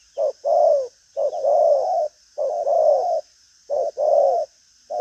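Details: Strong-cooing spotted dove in a busy, driving style. A clipped low note leads into a long, warbling, falling coo, and the pattern repeats in several groups.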